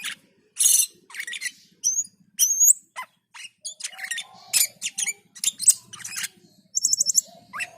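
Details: Black-and-white bulbul (cucak keling) singing actively, a busy jumble of sharp chirps, buzzy notes, rising whistles and quick rattling trills, delivered in short bursts with brief gaps.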